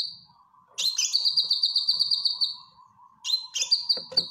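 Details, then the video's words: A gacor cucak kinoy (grey-cheeked bulbul) training song for caged birds: a long high-pitched trill of rapid repeated notes, a pause, then another trill with a few sharp chips. "Cucak Kinoy Gacor Masteran"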